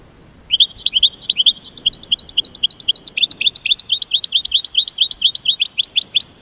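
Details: Continuous rapid twitter from an American goldfinch, a mating call of many high, rising chirps strung together for about six seconds with little pause.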